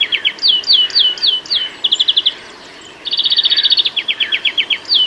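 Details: Singing greenfinch in a UK garden: a string of sharp downslurred chirps, a short trill, a brief silence, then a rapid high trill and more falling chirps.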